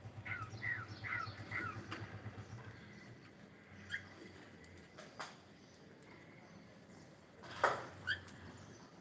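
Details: Cockatiel singing: a quick run of short, chirpy rising notes in the first two seconds, then scattered single chirps and sharp clicks over a steady low hum.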